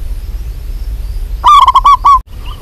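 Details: Local zebra dove (perkutut) hen calling a male: one quick phrase of about six rolling coos that ends abruptly, with a low rumbling background.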